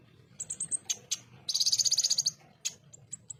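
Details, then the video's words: {'type': 'text', 'text': "Ruby-cheeked sunbird, known locally as konin, giving rough 'tembakan' song for tutoring pet birds: a few thin high notes and sharp clicks, then a fast, bright rattling trill lasting almost a second, followed by scattered ticks."} "MASTERAN FULL TEMBAKAN KASAR, SUARA JERNIH BURUNG KONIN ASLI"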